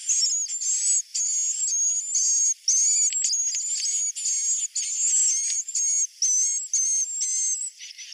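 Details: Loud swiftlet roosting call of high, whistled buzzy phrases, each about half a second long, repeated almost without pause, with a faint lower chirp beneath some of them.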